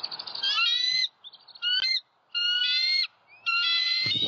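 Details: Bald eagle nestlings in a southwest Florida nest, 6 February 2021, hungry after over a day without food, one chick aggressive to its sibling before the adult male delivers a rabbit; drawn-out, high, harmonic squealing notes, about four in a row with short gaps.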